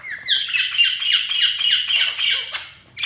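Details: Budgerigars chirping: a steady stream of bright, quick, downward-slurred chirps and warbling chatter, about three to four notes per second, loud and continuous.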